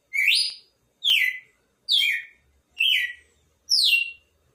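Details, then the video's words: Five clear descending whistles from a red-cowled cardinal in a steady rhythm, about one per second, some with a rising start, over a silent background. "Galo de campina expectativa na cantoria"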